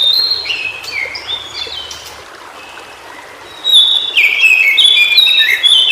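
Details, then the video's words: White-browed shortwing song recorded in its natural habitat. A loud, rapid tumble of high whistled notes comes first, then a short lull, then a second fast, varied phrase of bright stepped whistles. "Suara Burung Cingcoang Biru Di Habitat Aslinya"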